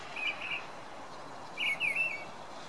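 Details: Song Thrush singing at night, giving two short, fluty, slightly warbled phrases about a second apart, high and clear over a faint, steady background hiss.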